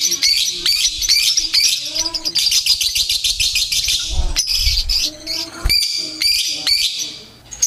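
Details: Lovebird bait for competitions, full of chirping: rapid rhythmic series of shrill, scratchy notes for about four seconds, then a softer stretch with low thuds and isolated sharp high chirps.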